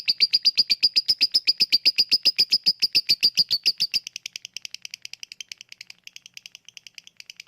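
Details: Lovebird ngekek chatter, used as a lure to get lazy lovebirds singing: a loud, fast run of harsh repeated notes, about eight a second, then softer, quicker clicking notes in the last half.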